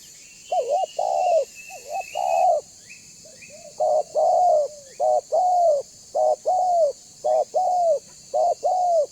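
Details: Spotted dove lure bird, meant to get other doves calling and coming near, cooing rapidly in a long run of short wavering and longer falling notes, about a dozen in all, with thin high chirps in the background.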